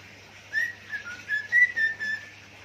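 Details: Pet budgerigar mimicking zebra dove and gecko sounds, giving five or six loud, slurred whistled notes that waver slightly up and down in pitch, separated by short pauses, against a low electrical hum.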